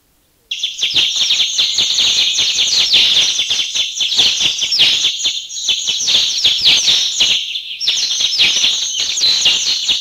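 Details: A flock of about 30 Mountain Bulbuls, recorded in a Thai national park, calls in a dense, continuous chatter of overlapping high, squeaky and slurred notes from many birds at once.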